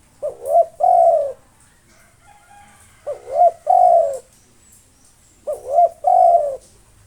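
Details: Local spotted dove singing nonstop to provoke rival birds: three low cooing phrases about every two and a half seconds, each a short note, a rising-falling coo, then a long steady drawn-out coo, over faint high hiss.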